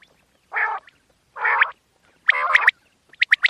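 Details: A quail gives three harsh, raspy notes about a second apart, then a quick run of short sharp chips, a night call used for hunting; no other sounds are heard.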